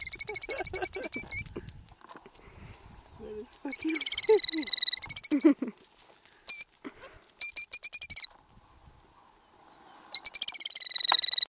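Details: A parent killdeer guarding a well-hidden nest on a gravel road gives its predator distraction call. Short, high, rapid trills come in separate bursts with silences between them. A few fainter, lower sounds are heard in the gaps.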